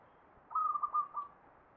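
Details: A single short phrase of perkutut (zebra dove) ngepat song in the Mataram Jogja style: a sustained clear whistle breaking into two or three quick coo notes, heard over soft hiss.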